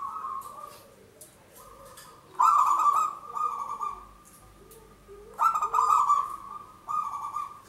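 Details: Local zebra dove, a prolific singer, with a long song used as a lure for trap-catching birds. Rolling, trilled coo phrases run into steady mid-pitched cooing, with louder bursts about every three seconds against a quiet background.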